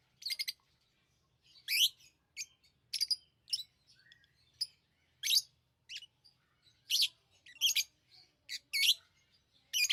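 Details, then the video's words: Pet lovebirds chirping: short, harsh, high-pitched bursts in irregular clusters, with loud squeaky notes spaced about a second apart and softer twitters between, in a quiet setting. "Love birds Sounds | lovebirds chirping sounds"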